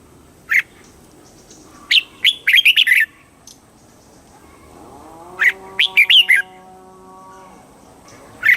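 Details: Red-whiskered bulbul song in the southern master style, played in Thailand to excite birds and teach young birds. Two bursts of quick, chattering whistled notes about four seconds apart. A steady, layered droning tone runs between them, and faint high chirps sound in the background.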